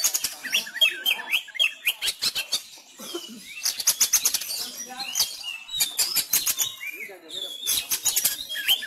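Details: Sumatran Oriental magpie-robins in fighting-style song, kept and trained at home during the COVID-19 lockdown while song contests were closed; dense run of sharp whistles, rapid chirps and clicking bursts, several phrases overlapping, with brief pauses.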